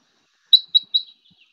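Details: Red Crossbill Eastern Type 10 flight calls, possibly a new call type: three thin, high, purely upward-inflected notes about a fifth of a second apart, clean with no other sounds.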